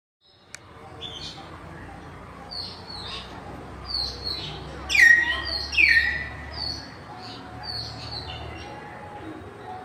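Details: Common hill mynas on a campus in afternoon light, 6 February 2024: loud whistled calls that drop sharply in pitch around five and six seconds, among scattered high chirps from several birds.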